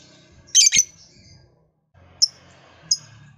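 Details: Lovebird, said to be a keen singer used to get other lovebirds calling, gives one loud rasping double squawk followed by two short, thin, high chirps, over a quiet room-like background hum.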